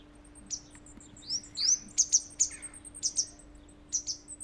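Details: Grey wagtail chicks, four in a nest in a walled garden being fed by their parents, give high, thin begging calls: sharp rising squeaks and sibilant "tzit" notes in quick irregular bursts, over a faint steady hum.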